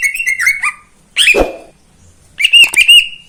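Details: Greater green leafbird kept in a cage, singing in the morning: a short twittering whistled phrase, a harsh burst, then bright, high, clear whistles.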